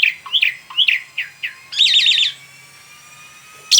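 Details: Asian pied starling in lively song for tutoring: several bright chirping notes spaced under half a second apart, then a dense burst of rattling trills, a pause with a low hum, and a final sharp note.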